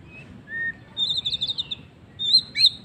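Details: White-rumped shama singing in the afternoon: a short whistle, then a rapid run of high warbled notes and a final bright phrase with a sharp upward flick, over low background rumble.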